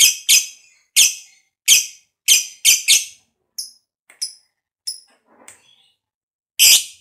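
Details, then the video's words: Fighter lovebird whose calls are meant to rouse lazy lovebirds into singing; a quick run of sharp, noisy chirps, then sparse softer high notes and a final loud chirp. "Pancingan Lovebird Ngekek Panjang SUPER FIGHTER, LB Kurang Semangat Kembali RAJIN BUNYI"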